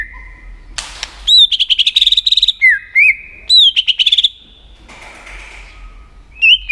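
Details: White-rumped shama, used to excite another shama into competitive song, delivers fast chattering bursts of high notes mixed with clear curling whistles in two phrases, separated by a brief noisy gap.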